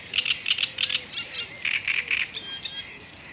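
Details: Black-necked grebe giving quick paired high notes, then a few longer whistled and rising notes, about three notes a second, in a quiet setting.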